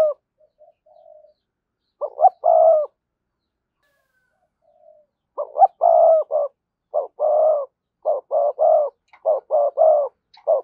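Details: Spotted dove used for luring wild doves, cooing in low repeated phrases, a single phrase early, then a rapid run of several coo phrases in quick succession.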